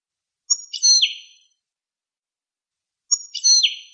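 A goldfinch gives two identical bright, twittering phrases about two and a half seconds apart, high-pitched with tinkling notes and a falling slur. No other sounds.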